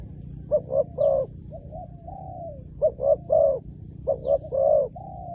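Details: Three cooing phrases from a spotted dove used to attract wild doves. Each phrase has two quick hoots and a fuller, slightly falling coo, with quiet pauses between them.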